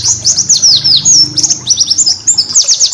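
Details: Short burst of white-eye song meant for training caged birds: busy high twittering of sharp downslurred chirps and brief whistles.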